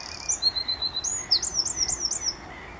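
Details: Several Eurasian wrens singing at RSPB Saltholme, morning of 1 April 2014, Canon SX50 HS: a high buzzy trill and thin whistle lead into a run of sharp, repeated up-slurred chips, all fast and shrill.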